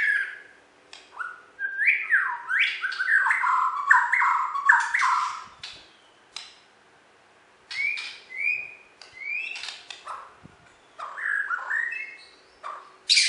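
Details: Winning Bornean white-rumped shama from West Kalimantan pours out varied song: swooping whistles, rapid warbled runs and scattered hard clicks, with short pauses between bursts.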